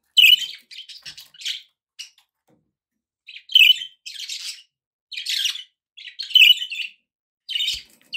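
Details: Pet budgies give sharp bright chirps followed by raspy warbled chatter, each burst separated by short quiet spells, about four groups in all.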